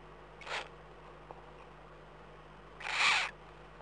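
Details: Eurasian eagle-owl in the Eifel, Germany, recorded at 03:39 on 11 April 2012, giving two breathy hissing wheezes about two and a half seconds apart, the second louder and longer, over a steady low hum.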